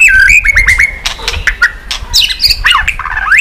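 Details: White-rumped shama flicking its tail on a cage perch while singing: a held whistle with quick stutters, then harsh broadband notes, clicks and varied high, squeaky whistled phrases.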